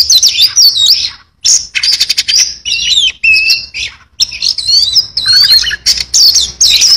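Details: Singing Oriental magpie-robin delivering varied fill-in phrases: bursts of quick rattled notes and looping high whistles separated by short silences, with a few lower buzzy notes near the end.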